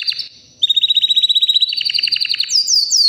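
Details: White canary about three years old: a short chirp, a pause, then a fast steady trill of repeated notes rising in pitch and ending in high swooping whistles.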